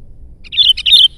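A sooty-headed bulbul gives a quick burst of bright, bubbly whistled notes used to lure rival bulbuls.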